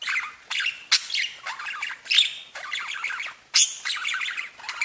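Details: Pet budgerigars twittering and warbling, phrases of quick scratchy clicks and squeaks arriving in bursts, with a few louder squawks and short pauses between.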